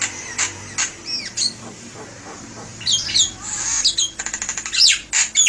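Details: Javan myna song intended as a lure: scattered high chirps and squeaky notes over a hissing background, then a burst of harsh chatter and a quick buzzy rattle near the end.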